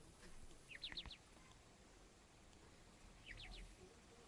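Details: Small young partridge chicks calling: two brief clusters of thin, high, sharply descending peeps, three or four notes each, separated by about two and a half seconds of quiet, over faint background hiss.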